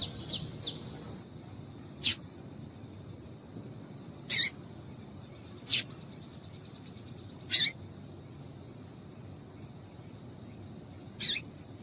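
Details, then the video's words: Calls of a female double-collared seedeater, used to get males singing: isolated high, clipped chirps spaced a few seconds apart, with a faint steady high whine running underneath. "Piado de Fêmea de Coleiro para Esquentar Coleiro frio"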